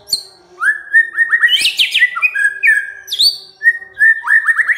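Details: White-rumped shama singing as a lure to make quiet shamas answer: rich, varied whistled phrases, clear upslurred notes, quick rising trills and sharp downward sweeps, delivered in rapid succession with brief pauses.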